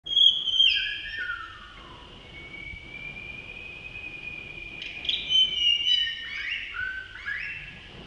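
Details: Male blue-throated blue flycatcher at Tashiding, Sikkim, India, in May: clear high whistled phrases, a long steady note, then bursts of fluttering, descending and rising whistles, over a quiet background.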